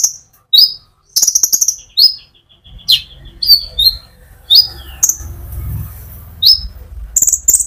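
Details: Sunbird (konin) singing energetically in rolling phrases, used as a lure to stimulate other sunbirds: high thin chirps and downslurred whistled notes, some in quick buzzy trills, with low rumbling background noise in the second half.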